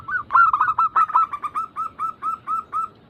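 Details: Zebra dove played as a lure to get doves singing: a dense flurry of overlapping clipped coos settling into a steady, slowing string of short hooked notes.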